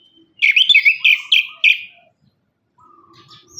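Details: Orange-headed thrush song used as a lure to prompt caged thrushes that sing little after moulting; a loud burst of rapid, warbled whistled notes repeated about five times over one and a half seconds, then near silence.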